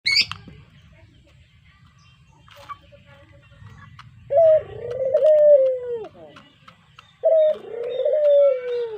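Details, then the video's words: Brown puter dove kept as a pet bird, recorded as a lure. After a quiet start with low rumble and a brief high chirp, two loud coos arrive, each a sharp note sliding into a long, falling, throaty croon. "Suara Merdu Burung Puter Coklat, Cocok Buat Pancingan"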